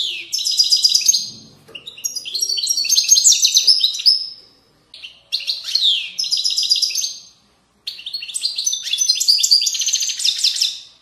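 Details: European goldfinch singing the authentic Moroccan widani style from riverside valleys, four long phrases of rapid high twittering, tinkling trills and buzzy rolls with brief gaps between them.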